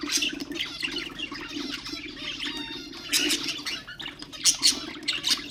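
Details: Pet budgerigars whose song is used to stimulate other birds, a continuous chattering warble of buzzy notes and whistled trills, louder sharp chirps near the end, with a low steady hum.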